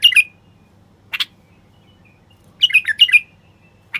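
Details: <caption 4>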